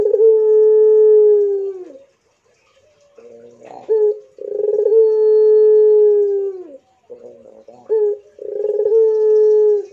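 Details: Barbary dove of the pelung type, cooing vigorously, played for silent doves. Long, steady, mid-pitched coos of about two seconds each, three in ten seconds, separated by short rough gurgling notes.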